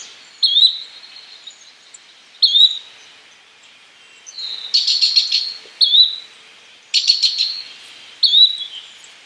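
Yellow-bellied Flycatcher giving short, clear rising whistles about every two seconds, with a few harsher, buzzy notes mixed in.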